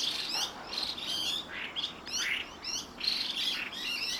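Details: In the evening, a pair of Chinese hwamei give bursts of short, high, chirping and slurred whistled notes in quick irregular succession.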